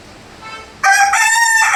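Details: Indoors on a rainy day, a large country rooster launches into a loud, strongly harmonic crow, holding a steady note after a faint lead-in, cut off before the end.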